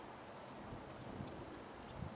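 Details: Goldcrest recorded in winter, 10 January 2016, at Dwingelderveld, Dwingeloo, Holland: two thin, piercing high notes half a second apart, with faint high calls around them and low rumbling noise.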